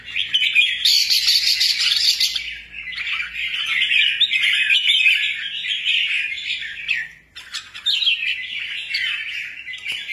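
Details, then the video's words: An albino crested bulbul chatters almost without pause, a dense run of bright, scratchy twittering notes in a middle-high pitch, with only brief breaks. "Burung Kutilang Jambul"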